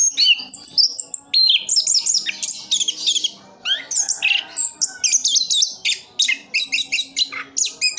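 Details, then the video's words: Kept orange-headed thrush from Sidoarjo, East Java, delivering a full roll song: dense, fast bursts of high varied whistles, chirps and trills with brief pauses, sweeping up and down in quick succession. "Anis kembang "Anti Gempa". Rooll full anti streees"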